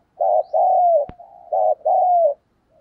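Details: Spotted dove giving the urging 'thúc giọng' coo used to lure wild doves in fast: two low double coos, each a short throaty note then a longer, slightly falling hoot, with a sharp click between them.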